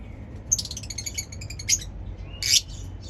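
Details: Chirping lovebird gives a quick run of high, scratchy, clicking chirps, pauses briefly, then ends with one louder harsh squawk-like chirp.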